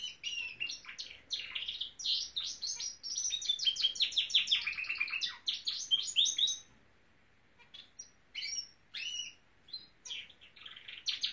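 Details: Norwich canary, a pet male bird, singing indoors: a fast run of high chirps and trills with repeated sweeping notes, then a pause and scattered short twitters.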